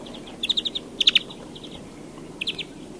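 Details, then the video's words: A European greenfinch gives quick bursts of bright, ringing twittering notes, several in a row, with short pauses between phrases over a faint background hiss. "Canto do Verdilhão"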